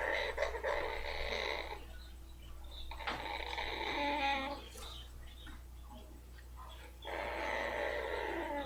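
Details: Pet female blue-fronted amazon purring while her rump is rubbed, which feels good to her: buzzy, raspy harmonic drones in three long stretches separated by quieter pauses, indoors with a low steady hum.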